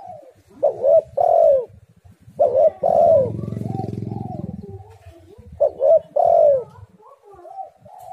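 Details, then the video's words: Spotted dove, known locally as tekukur or derkuku, in a lure recording meant to set doves singing: three rounds of a short coo followed by a longer drawn-out falling coo, with a low droning rumble after the second round. "tekukur super gacor suara yang di nanti nanti semua burung"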